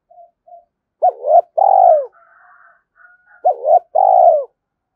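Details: Spotted dove cooing to provoke a rival; two paired phrases, each a short double coo followed by a long trembling falling note, soft distant coos and a faint higher bird call between.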